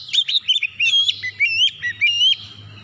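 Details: Vigorous oriental magpie-robin song meant to stimulate untrained birds: a steady run of about eight bright whistled notes, each sweeping up or down, over a faint low hum.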